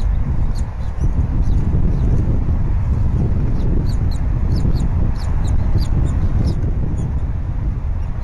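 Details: Wild bald eagle pair at their Berry College nest, 20 February 2019, mid-morning, as the female feeds the eaglet fish the male delivered. Faint high piping chirps come in a run mid-clip beneath loud, continuous low wind rumble.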